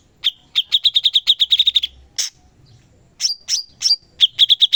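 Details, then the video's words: Cucak cungkok in lively song for training songbirds: a long rapid run of a dozen even clipped notes, a pause, then several sliding high chirps and a final short trill. "CUCAK CUNGKOK GACOR"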